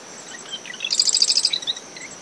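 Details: Marsh wren singing at early morning from dune shrubs around its nest after tropical depression Claudette; a single fast, buzzy rattling trill lasting about half a second, over brisk wind, waves and a steady cricket tone.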